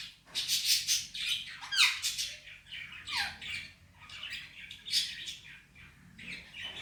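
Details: Male Indian ringneck parakeet kept as a pet, mimicking speech such as "Mitthu bete" and "Miya Mithu" in a rasping, high-pitched voice; bursts of raspy phrases with some falling tonal sweeps, repeated roughly every second.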